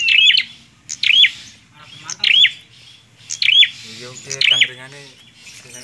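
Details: Bar-winged prinia giving repeated bursts of bright, swooping chip notes roughly once a second, while a low human voice talks underneath toward the end.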